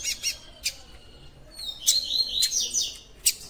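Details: Double-collared seedeater singing in the tui tui style: scattered high chirps, then a quick run of bright descending whistled notes in the middle, and a final sharp chirp against a faint background hiss.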